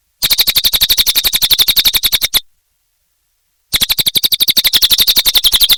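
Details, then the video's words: Cililin bird singing vigorously (gacor) in two bursts of quick, piercing chatter, each note short and high, delivered at a steady rapid clip, with a silent pause of about a second between bursts. "Suara Burung Cililin Gacor Durasi Panjang"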